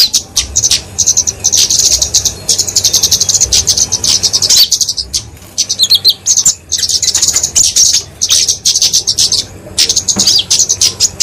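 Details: Flowerpecker fighting song, kept as a tutor and lure for small songbirds: long runs of very high rapid ticks and twitters, briefly quieter near five seconds, then resuming in dense bursts.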